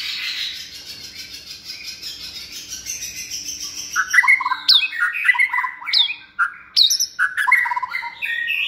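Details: Captive white-rumped shama of its second season, reared by hand from young, with a many-voiced, stage-ready song: hissy broadband wash at first, then sharp whistled phrases with quick downslurred notes and piercing high accents.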